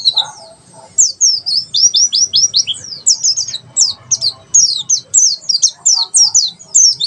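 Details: White-eye giving tembakan sejalur song used as master training material: a steady stream of bright, high, sharply falling whistles in rapid regular bursts, with only faint lower chatter behind.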